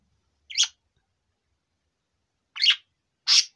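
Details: Male budgerigar aged four gives three isolated harsh chirps, one alone and then two close together after a long silence.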